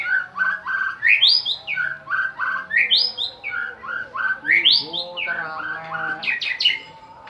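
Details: Champion white-rumped shama singing a lure song to prompt other birds: strongly rhythmic phrases, each a rising whistle followed by stepped lower notes, repeated about every second and a half, ending in quick high chips.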